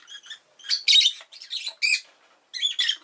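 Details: Rosy-faced lovebird chirping, recorded with city noise such as car and motorbike engines and bicycles nearby; a dense run of high, buzzy chirps and squawks in quick clusters, with brief pauses between bursts.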